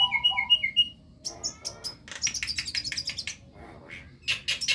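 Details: Javan myna, a young white-eyed bird learning to sing, opens with neat paired whistles, goes quiet, then gives high squeaky slurs and a long dense run of harsh, grating chatter ending in loud rasps.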